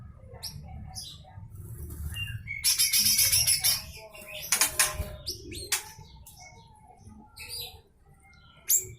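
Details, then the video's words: Lesser green leafbird giving a full rough 'besetan' song, used as tutor material for songbirds: scattered thin chirps and short whistles, then two loud harsh buzzy rattling bursts near the middle, over a steady low rumble. "Full besetan kasar suara cucak hijau mini"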